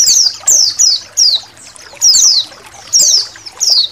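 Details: Indonesian white-eye song used as a training recording for songbirds, over a background of trickling water: high, sharp descending whistled notes repeated in quick bursts roughly every half second.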